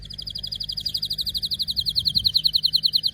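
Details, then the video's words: Canary bird giving a sustained rapid trill of high bright notes, about three to four per second, steady throughout, over a faint low background hum. "غناء كناري لاسكوت ،لن يصمت كناريك عند سماع هذا الوحش Canary Bird singing"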